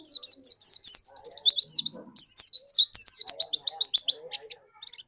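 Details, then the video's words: Lure white-eye used to spur another bird into song delivers a continuous stream of high, sweet, rapidly repeated downslurred whistles and trills, lively and unbroken for nearly five seconds. "burung pleci pancingan di jamin pleci anda cepat nembak"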